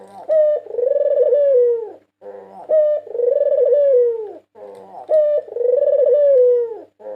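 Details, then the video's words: A 2022 national champion white Barbary dove, used to lure other birds, sings three repeated phrases. Each has a clipped opening coo and a long, vibrating, gently falling roll, with soft purring in the gaps. "Masteran burung puter putih juara nasional 2022 merdu dan ampuh untuk pancingan"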